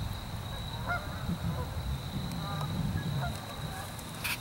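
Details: Canada geese on Springfield Lake in Churchville Park, Pennsylvania, on 25 October 2015, giving several nasal, harmonic honks, some rising, spread through the first half and again near the third second, over a deep rumbling background and a steady thin high whine.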